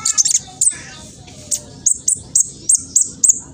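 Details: Speckled young black sunbird, East Java, Indonesia, recorded on a phone to provoke other birds. After a brief twitter, it gives sharp high chirps repeated about three to four times a second.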